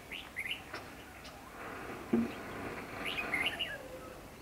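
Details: Caged decoy red-whiskered bulbul used to lure wild bulbuls into a trap, recorded 28 March 2016: a few bright, sliding chirps at the start and end, a dull thump midway, quiet background.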